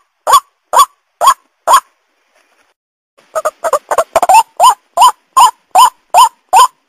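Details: White-breasted waterhen lure call: four harsh rising notes, a pause of about a second and a half, a rapid jumble of overlapping shorter notes, then seven steady nasal notes at about two per second.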